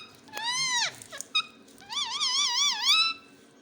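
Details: Indoor rose-ringed parakeet producing a rising-then-falling whistled sweep, a few short squeaks, and a long wavy, undulating voice-like tone near the end, with soft background hum.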